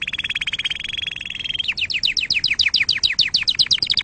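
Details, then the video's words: Canary song for training young birds: a steady pulsed trill on one pitch for about a second and a half, then a quick series of repeated down-sweeping notes at about four per second. "أحسن تغريد أصلي صافي و خالي من الأخطاء لتسميع فراخ الكناري"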